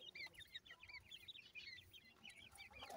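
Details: Francolin chicks calling: a steady stream of thin, high, upslurred chirps from several birds overlapping throughout, with faint low background noise and a sharp click at the end.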